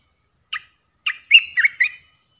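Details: Lure recording of an Olive-winged bulbul three-phrase song, used to draw in wild birds. One brief note is followed by a burst of rich, bubbling, slurred whistles with several quick pitch jumps, and then silence.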